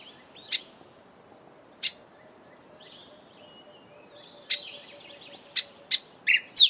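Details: Grey sunbird giving sharp, explosive clicking call notes at irregular intervals, seven in all, quickening toward the end, with soft, thin warbling notes in between.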